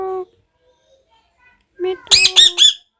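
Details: Talking parrot: a short low tonal sound opens, then after silence comes a burst of four loud, high, arched harmonic notes in quick succession.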